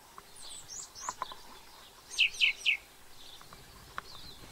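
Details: New Zealand's introduced song thrush: three loud, ringing notes in a quick row, surrounded by faint high twittering and background hiss.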